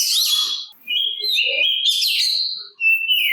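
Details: Oriental magpie-robin (kacer) song used to provoke answers from other magpie-robins: long level whistled notes rising and falling slightly, separated by brief gaps, soft low chatter beneath.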